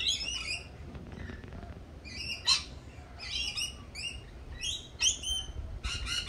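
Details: Lorikeets at a cafe giving strident, metallic screeches and squeaky chatter in quick clusters, several birds calling, with faint low background rumble.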